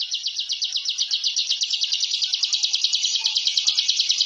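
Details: Ciblek, the bar-winged prinia, singing rapid continuous 'ngebren' song used to train caged birds: high, rattling, closely packed notes, somewhat uneven in rhythm, getting louder toward the end.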